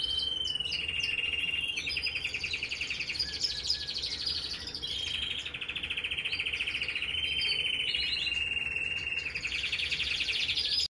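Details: Red mosaic canary delivering a long continuous song of layered rattling trills and brief whistled flourishes, steady in volume throughout, with light background hiss.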